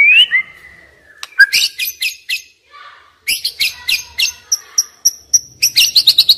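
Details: Young wild white-rumped shama used as a singing lure: a rising whistle, then quick high chips and buzzy notes delivered in fast, uneven bursts, with a faint low hum late on.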